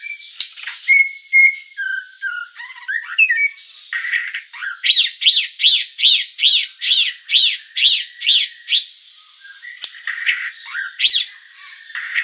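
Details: White-rumped shama in full song, opening with clear whistled notes and slurs, then a steady run of about twelve repeated loud chopping notes, roughly two per second, ending in mixed whistles.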